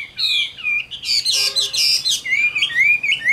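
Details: Chinese hwamei, a caged bird caught wild as an adult, sold in Vietnam as a 'Tam Hoàng' with good voice. It delivers loud, sweeping whistles broken by a harsh, buzzy burst midway, then resumes with bright slurred notes.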